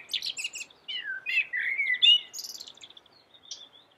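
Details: Melodious song of a common blackbird, a black bird with a yellow beak: quick high squeaks open into rich, sliding fluted phrases, then fade into thin, high twittering notes.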